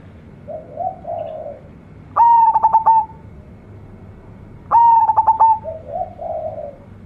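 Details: Local zebra dove with a big, luxurious voice: two loud cooing phrases of clipped rapid pulses ending in a sustained note, about two and a half seconds apart. Softer low warbling coos come before and after them.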